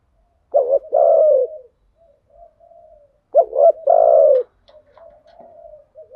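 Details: Lure recording of spotted dove cock and hen in thuc gu and gay goi call types: two strong phrases of a double note and a long descending coo, separated and followed by faint soft cooing.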